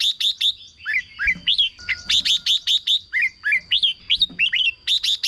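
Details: Red-whiskered bulbul in a cage, song for exciting caged birds: clusters of high sharp chips mixed with bright down-slurred whistles, delivered quickly and almost without pause.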